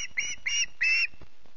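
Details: Early-morning screeches from a hungry osprey chick at Loch Garten, Scotland, on 14 August: four short, harsh, strained squeals in quick succession, the last one longest.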